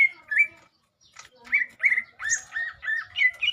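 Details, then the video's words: Lesser green leafbird (cucak ijo) in a mental test, singing varied whistled phrases around a bright pitch, short slurred notes repeated in quick bursts after a brief pause. "Tes mental cucak ijo"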